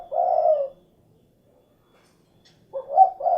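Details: A spotted dove, called derkuku, ends one long soft coo, falls silent for two seconds, then starts another phrase of short hooted notes swelling into a longer coo.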